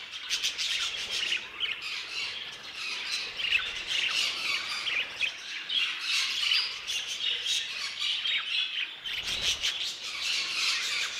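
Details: Budgerigars kept in an aviary: a dense, unbroken chorus of many birds, with overlapping high scratchy chirps, squawks and chattering warbles throughout.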